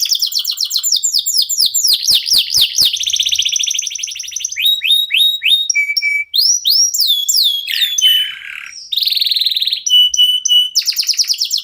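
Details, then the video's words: Singing local canary (kenari lokal), used as a lure recording for other cage birds: falling whistled sweeps, a dense buzzy trill, chattering phrases and long level whistles, all high and rapid. "KENARI LOKAL GACOR TOTAL, SEMUA IKUTAN BUNYI..PANCINGAN AMPUH BIKIN CEPAT GACOR"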